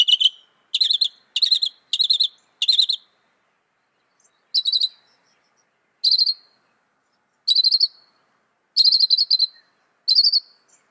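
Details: Northern mockingbird imitating other birds: five quick high trilled bursts in a row, then spaced single and doubled high buzzy phrases roughly every one to two seconds.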